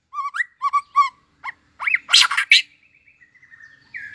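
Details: Tail-flicking White-rumped shama just coming into condition, singing competitively: a run of four short repeated two-part whistles, then an arched note, a harsh noisy burst, and a long soft sustained whistle.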